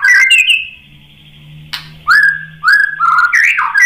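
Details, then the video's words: Singing white-rumped shama used as pancingan to coax other birds into answering: quick rising whistles, a pause with faint low hum, a click, then clear downslurred whistles and a bright fluty warbled ending. "SUARA MURAI BATU Untuk Memancing BUNYI jadi NYAUT GACOR"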